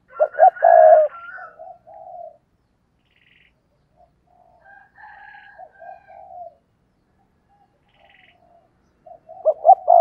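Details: Decoy spotted dove opening with a loud stuttering coo phrase, then a long run of soft, low coos, and starting another loud phrase at the end.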